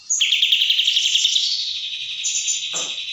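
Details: Sooty-headed bulbul delivering a 'tembak' song, a continuous rapid pulsed trill kept at an even high pitch for about three seconds, with a brief harsh chatter near the end.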